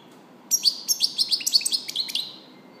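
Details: European goldfinch delivering a quick, tinkling phrase of about a dozen high, sharp chirps in rapid succession, ending in a slightly slower trill, against a quiet background.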